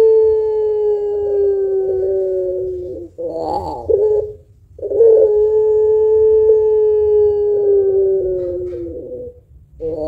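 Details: Chatty puter pelung dove cooing long to stimulate other birds. Two long, even, humming coos of about three and four seconds are split by a brief burbling, throaty phrase.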